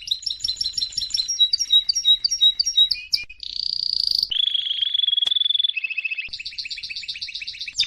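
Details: A canary sings varied phrases in a training recording: repeated paired high notes, a buzzy trill, a pure level whistle, then a rapid bubbling roll.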